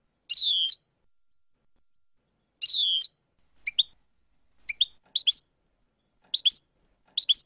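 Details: European goldfinch song from a full tape of approved segments: two buzzy, rolling half-second phrases, then a brisk series of high paired chirps roughly every half second to one second.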